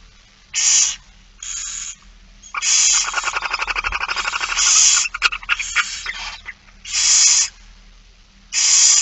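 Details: Barn owl feeding, Friesland, 8 September 2019: repeated harsh hisses, interrupted midway by a rapid series of clicking, rattling pulses lasting about two seconds, then more hissing screeches.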